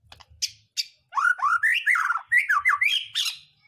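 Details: White-rumped shama singing to trigger other birds' song: two sharp high clicks, then a flowing sequence of rich, slurred whistles rising and falling, ending in a bright high flourish.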